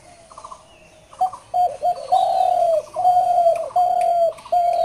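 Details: Dove delivering a run of loud, sustained coo notes, steady in pitch and nearly continuous, each broken by short dips, over a quiet, faintly buzzing background.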